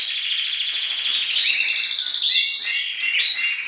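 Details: A male domestic canary, kept at a breeding setup where females are nesting and incubating, sings a continuous high warbling run of rapid trills and rolling phrases, shifting pitch every second or so; singer's identity unsure.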